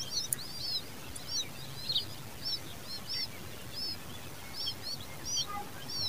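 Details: Common babbler chicks beg while their mother feeds them, giving thin, high, squeaky notes repeated irregularly about every half second over a steady low rumble.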